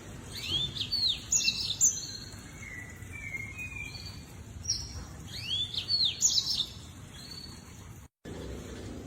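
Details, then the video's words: Lemon-breasted canary singing two short phrases of thin upslurred whistles and chirps, each followed by lower buzzy notes, separated by a pause, over a steady low hiss that cuts out briefly near the end. "The Chirping Of The Lemon-breasted Canary"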